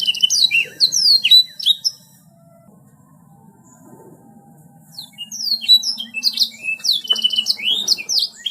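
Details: High, quick, twittering canary song with sweeping whistled notes. The bird falls silent for roughly three seconds mid-way, then bursts back into a busy, chattering run. A soft low hum is present throughout.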